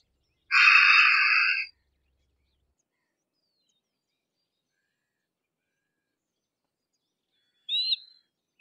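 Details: A Harris's hawk gives one long, harsh, broad scream of over a second with a coarse, noisy texture. After a long silence comes a brief thin squeak at the end.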